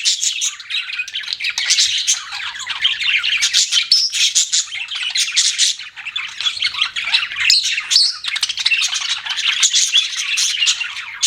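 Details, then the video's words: Continuous budgie chatter from pet birds, a long run of scratchy, buzzing warbles and bright chirps with quick rhythmic pulses and no quiet gaps. "BUDGIES CHIRPING SOUND"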